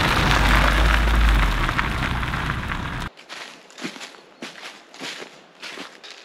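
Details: A loud booming roar of low noise for three seconds cuts off abruptly, followed by quiet, irregular sharp clicks and soft taps.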